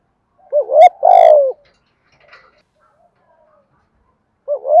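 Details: Spotted dove decoy birds, male and female, used to lure and train wild doves: a short hiccuping note leads into a long, loud, downward-sliding coo, then silence and a faint chirp before the next phrase starts near the end.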